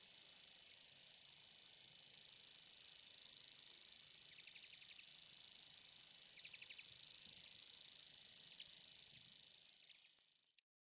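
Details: A common grasshopper warbler in the dunes of Den Helder, Netherlands, sings a high, dry, insect-like reeling trill that runs on without a break.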